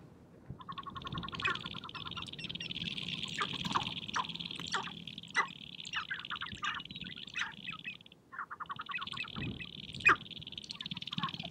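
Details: Spring courtship gathering of sharp-tailed grouse on a prairie hilltop, birds dancing and fighting for females: bursts of rapid pulsed chatter and scattered sharp clucks over a continuous high hiss, with a brief lull near the eighth second.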